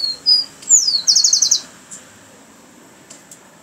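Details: A single Rufous-collared sparrow song opens with two pure whistles, drops through a descending slur and ends in a quick buzzy trill, followed by quiet with a few faint clicks.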